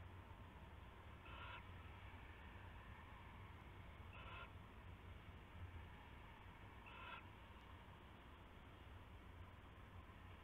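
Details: Owlets inside a nest box at night, 7 January 2016, around 11:16–11:28 PM; three harsh, breathy hissing bursts come about every two and a half to three seconds over a steady low hum.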